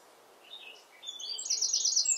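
A Eurasian wren sings a loud, high, rapid jumble of notes that quickens into a fast, ringing trill, with soft wind noise behind.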